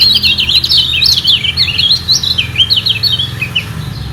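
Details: Yellow white-eye (kecial kuning) in a singing war to guard its top position; continuous lively warble of high, zigzagging chirps over a faint low hum.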